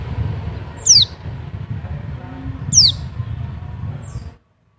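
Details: Oriental white-eye, dakun-style call from Bali used to lure or stimulate other white-eyes: two thin, sharp whistled notes sliding steeply downward, about two seconds apart, over a steady low rumble of background noise.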